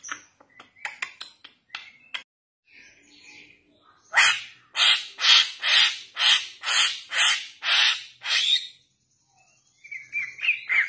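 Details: Pancingan lure recording of young Bali mynas: quick scattered clicks and chirps, then a loud series of about ten harsh, broadband squawks repeated roughly twice a second, closing with softer chattering notes.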